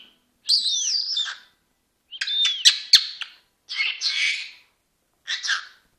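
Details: A talking Senegal parrot gives four short, hoarse, speech-like phrases about a second apart, likely words such as 'hands up', 'kiss' or 'hello', the first with a bending whistled note, with quiet pauses between.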